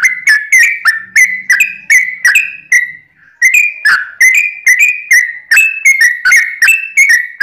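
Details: Sooty-headed bulbul song for provoking rivals to sing: energetic chains of short whistled slurs, up and down in pitch, briefly pausing once before resuming at a brisk pace, faint low hum underneath.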